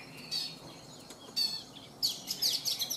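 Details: Morning song from a caged, wild-caught Oriental magpie-robin of three seasons: a couple of faint high whistles, then a loud closing burst of rapid bright chirps.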